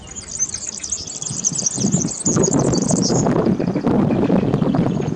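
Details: European serin singing near Zamość: a high, fizzy, jingling rush of rapid notes for about three seconds, then fading, over loud low rumbling traffic noise that continues throughout.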